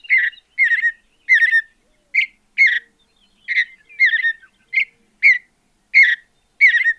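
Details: Mountain bluebird (Sialia currucoides) from a natural habitat, delivering a steady run of soft, slightly buzzy warbled notes, about one every half second, each dropping in pitch; no other sounds.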